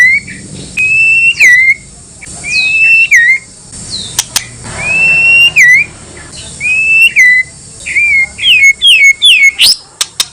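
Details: White-rumped shama song played to provoke rival shamas: a series of bright rising whistles with downward flicks, each phrase spaced a second or two apart, ending in a fast run of short slurred notes and clicks.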